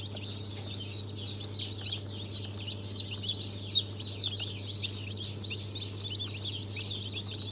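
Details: Group of newly hatched Brahma, Fizan, Australorp and Legbar chicks, hatched 3 March 2023: rapid, overlapping high peeps at a hurried irregular pace, a few louder chirps midway, over a low machine drone.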